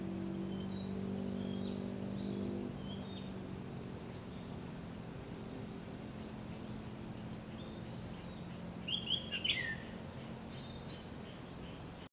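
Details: Chinese grosbeak (Eophona migratoria) song recorded in Chiba Prefecture, Japan, 3 May 2016: short burst of rich whistled notes among thin, high, repeated chirps, over a steady low hum.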